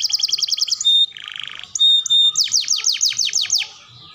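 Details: Canary singing a tutor song for training young, developing and adult canaries: a fast run of bright repeated notes, a buzzy lower trill, a short pure whistle, then a series of steep descending sweeps.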